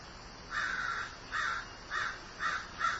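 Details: Grieving crow calling outdoors: one long drawn-out caw followed by four shorter harsh caws spaced about half a second apart, steady and mid-pitched.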